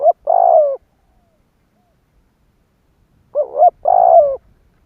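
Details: Spotted dove kept as a lure bird, cooing to provoke wild doves: two phrases about three seconds apart, each a short rising double note followed by a longer, throaty, slightly falling coo, with silence between.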